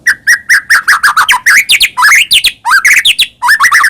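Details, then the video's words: White-rumped shama song meant as a lure for caged birds: a dense, continuous stream of rapid slurred whistles and chattering notes, many rising sharply, with almost no pauses. "murai batu gacor AMPUH buat PANCINGAN murai batu agar bunyi"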